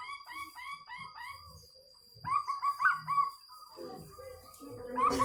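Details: Zebra dove of local wild stock with an unusual voice: bursts of rapid, evenly spaced staccato cooing notes, each series lasting about a second, repeated several times over a faint steady high whine.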